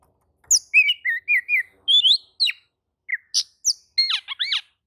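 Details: Oriental magpie-robin singing a string of short clear whistles and slurred chirps at a steady pace, ending in fast looping notes. Other magpie-robins are said to answer, agitated, when they hear this song.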